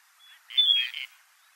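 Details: A male Gadwall in winter, filmed in Saitama, Japan, gives a thin, high whistle in courtship display, then a brief burst of rougher, buzzy notes lasting about half a second.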